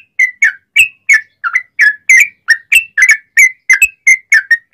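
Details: Sooty-headed bulbul pouring out a loud, fast song in a forest style with straw-headed bulbul-like phrasing, used to train other bulbuls. Dense, liquid two-part chirps repeat about three times a second.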